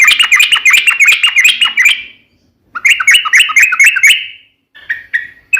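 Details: Sooty-headed bulbul in lively 'ropel' song used to draw a reply: a two-second rapid warbling trill, a pause, a second shorter trill, then a few clipped fluty notes.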